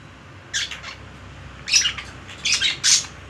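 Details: Pet budgerigar calling indoors: four short harsh squawks in uneven spacing, each a bright noisy burst, with faint room hum underneath.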